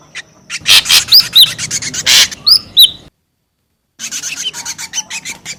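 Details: Ashy drongo lure sound, noisy: harsh rasping bursts mixed with short sharp whistled swoops, a second of silence, then more scratchy chattering notes.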